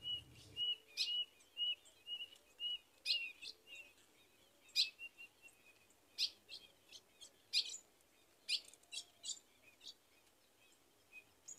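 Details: A female ultramarine grosbeak calling the male to mate, Rio Grande do Norte caatinga; crisp chips scattered irregularly among rapid, thin whistled dashes, with a brief low hum at the start.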